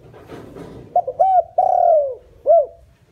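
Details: Decoy spotted dove calling to lure wild doves: two short clipped notes, a long drawn cooing note sliding downward, a pause, then a final short arched coo; faint background murmur.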